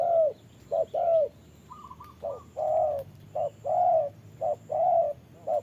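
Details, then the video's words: Caged decoy spotted dove calling at a wild dove in rain: low hooted coos, short then drawn out, repeated in pairs, broken once by a quick trio of higher notes from another dove. "Bẫy chim cu gáy mồi đấu cùng bổi trời mưa"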